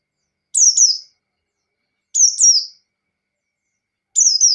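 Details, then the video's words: Pleci white-eye ngalas song to provoke a rival into singing: three high, sharp double-noted phrases that slide down into a thin whistle, evenly spaced about every one and a half seconds. "Pleci Ngalas Standar Memancing Lawan"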